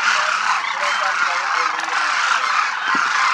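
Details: A large flock of demoiselle cranes (Anthropoides virgo) over a Rajasthan village, India, flying and feeding in formation, calling together in a dense chorus of hoarse, trumpeting croaks overlapping continuously with no pauses.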